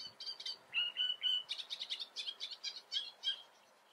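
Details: Great reed warbler singing before the camera in the Eifel, Germany: a loud, grating run of harsh chattering notes, some low croaky syllables followed by rapid repeated scratchy chirps, delivered several per second.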